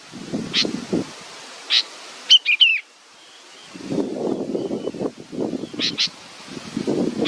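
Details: Young bird waiting for its mother gives a few high chirps and one fast, whistled, twisting phrase, then two close chirps later, with stretches of low rustling noise.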